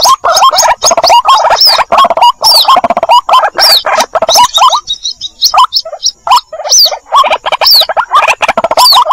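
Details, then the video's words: Calls of a white-breasted waterhen chick summoning its mother, recorded for luring birds in 2021. Busy overlapping rising notes and high chirps, with a brief near-quiet break midway before the chatter resumes. "suara pikat ruak-ruak mp3 anakan panggil indukan terbaru 2021"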